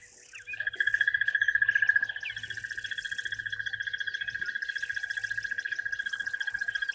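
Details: Crested Barbet giving a long, steady, rapid trill on one mid-high pitch, like an alarm clock ringing, with a faint hum and a few soft chirps behind; a waterhole recording, 3 January 2024.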